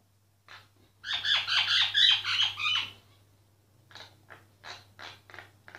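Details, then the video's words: Unnoticed myna singing: a sustained run of rapid, evenly pulsed harsh notes lasting about two seconds, followed by a softer, regularly spaced series of clicking, rasping notes. "Mynah singing"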